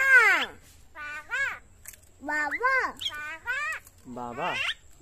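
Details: Talking common myna producing a run of short, speech-like syllables, squeaky and nasal with strongly swooping pitch, coming in quick clusters about every second, over a soft low background rumble.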